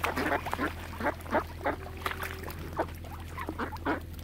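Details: Ducks on Lough Neagh, Oxford Island, Ireland, close around a swan family, giving short, nasal quacks spaced roughly a third of a second apart, with a constant low mechanical hum underneath.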